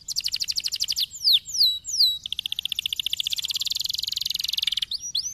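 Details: Canary singing to stimulate other canaries: a fast high trill, a few slurred descending whistles, then a long very rapid buzzy roll and brief upswept notes.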